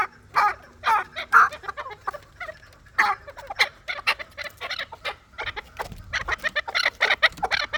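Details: Fighting chukar of the Dulani type calling in loud, separated chuk notes, spaced irregularly, then quickening into a tighter series toward the end.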